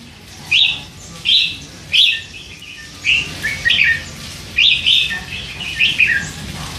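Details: Three-month-old hand-fed red-whiskered bulbul, caged, chattering with hints of song phrases; clear short warbled notes repeated roughly every half to one second, loud and distinct over quiet hum.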